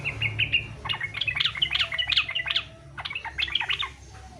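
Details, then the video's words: Fighter-style song of a Yellow-vented bulbul, used to prompt other bulbuls to join in: a rapid run of bright, bouncing whistled notes, pausing briefly before a second lively phrase. "SUARA trucukan faghter cocok buat pancingan supaya trucuk ikut faghter"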